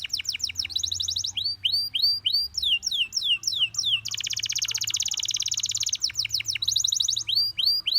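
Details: Gloster canary song meant to draw other canaries into singing: sweeping descending notes alternate with fast high trills and a long dense buzzy roll in the middle, then more downslurred whistles and a quick trill.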